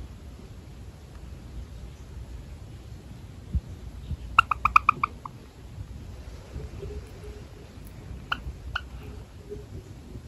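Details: A pet Java sparrow, suddenly touched on its rump, gives a quick burst of five or six short, bright chip notes, then two more single chips a few seconds later, over a quiet room hum.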